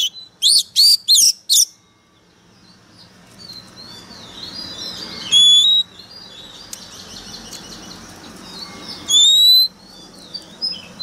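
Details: Decoy Oriental magpie-robin in heated, aggressive voice: four rapid loud sweeping notes open the phrase, then quieter warbling in the background, broken by two short bright whistles several seconds apart.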